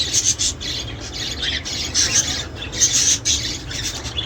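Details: Budgerigar chatter to encourage mating and egg production: short raspy, scratchy bursts pulsing at a steady quick rhythm, several voices mixed, soft hum beneath.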